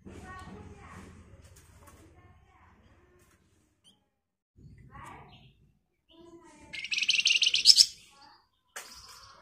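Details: Flamboyan, the scarlet minivet, sings as a lure to draw replies from other birds: after quiet human talk, a sudden burst of shrill, rapid high-pitched chattering lasts about a second, followed by a thin squeak.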